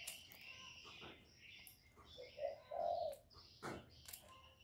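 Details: Single phrase from a spotted dove kept as a lure, calling to rouse wild doves: two short low hoots then a sustained purring coo, with twittering birds and a few sharp clicks.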